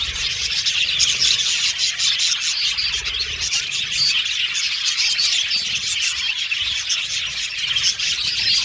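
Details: Budgerigars in an aviary colony, a dense chorus of many birds chirping and twittering together without pause, high bright chatter layered over rapid squeaky notes, steady and busy throughout.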